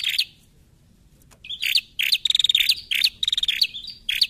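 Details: Bar-winged prinia female calling as a lure for wild-caught prinias: after a brief opening chip and a pause, a dense stream of bright chirps and several rapid ticking rattles follows without much break.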